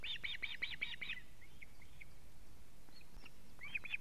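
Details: Osprey giving alarm calls at its nest in Latvia, 19 July 2017 at 19:43, while the male delivers a live fish. A quick burst of about seven piercing whistles, then scattered faint notes and a fresh burst at the end.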